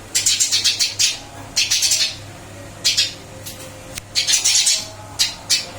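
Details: After a move to a new cage, a captive Eurasian tree sparrow keeps calling briskly: rough, squawky chirp clusters alternating with single sharp chips, set against a quiet electrical hum indoors.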